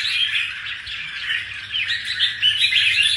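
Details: Short burst of rapid, jumbled chirping and warbled whistles from a caged red-whiskered bulbul that has just finished moulting, notes tumbling several per second with no gaps.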